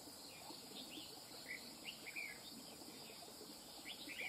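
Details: Red-whiskered bulbul, caught from the wild, delivers a string of quick chirpy whistled notes every second or so beneath a continuous high-pitched cricket-like drone.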